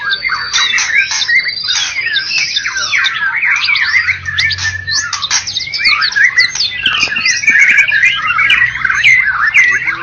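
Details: First-place white-rumped shama of a Medan and Java singing contest: a continuous loud stream of sweeping whistles, slurred notes and scratchy chatter packed tightly together, with a low rumble in the background.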